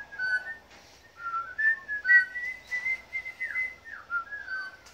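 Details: Campo troupial singing a trained tune, a hymn: a flowing run of clear whistled notes, slurred up and down, with longer sliding phrases toward the end and a few quieter falling whistles.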